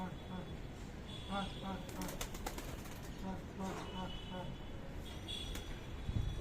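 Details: Pigeons squabbling over food while being hand-fed, giving short low cooing pulses in quick series, with a burst of flapping wings midway and a person talking throughout.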